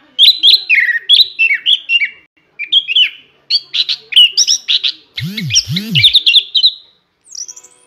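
An orange-headed thrush sings a rich, fast run of varied warbled and whistled phrases with barely a pause, ending in a rising sweep; a brief low thudding sound intrudes midway.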